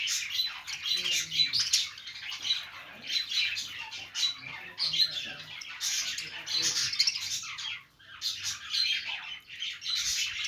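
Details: Several Australian parrots, budgies at play, keep up a busy high-pitched chattering warble with scratchy squawks, a brief near-silent dip around the middle, then the chatter resumes.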